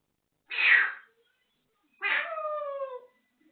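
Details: African grey parrot indoors giving two mimicked noises: a short breathy cough-like burst, then after a pause a longer harmonic, meow-like tone that slides downward.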